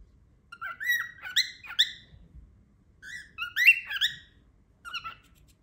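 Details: Loud cockatiel calls, perhaps an attempt at a word: clustered rising whistled squawks with rich harmonics, in two main bursts and a short final note over six seconds.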